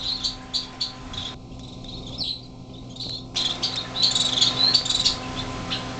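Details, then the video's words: Greenhouse in January 2007, six baby finches on their first day out of the nest, flying a little. Sharp high chirps start, drop to a near lull mid-way, then return in a busy chattering burst over a low hum. "baby finches"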